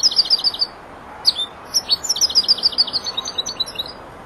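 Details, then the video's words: Young four-month-old European goldfinch learning to complete its song, delivering rapid high chirps, a brief pause, then a longer run of bright repeated twittering. "jilguero el estudiante rematando"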